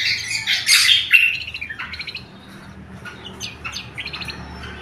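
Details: Lesser green leafbird in loud, clear song meant for luring wild birds and training others: harsh rasping chatter and a whistled note at the start, then fading rapid high twitters.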